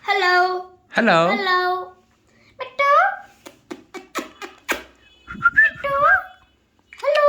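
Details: Alexandrine parakeet uttering speech-like syllables and harsh calls indoors, followed by a patter of clicks and a wavering whistle.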